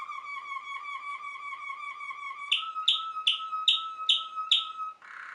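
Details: Waterslager (Malinois) canary of Belgian origin, kept for its song likened to flowing water and bubbles: a wavering rolling trill followed by six sharp, evenly spaced chirps over a held tone, ending in a short rough burst.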